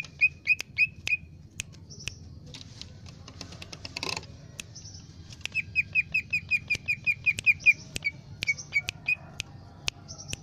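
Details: Lesser green leafbird in lively song: rapid bursts of short, bright, repeated whistled notes, with thinner high squeaks above them and loud clicks or flutters between phrases.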